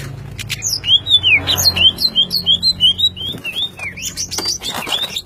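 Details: Greater green leafbird, spotted-type 'trotol' bird, singing energetically: a run of clear, high whistled notes, each rising then falling, repeated roughly three per second, with some sharp chirps at the start and end.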